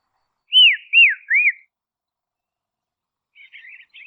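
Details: Dusky robin from Tasmania, Australia: a trio of arched, down-slurred whistles, then a pause and soft scratchy twittering notes.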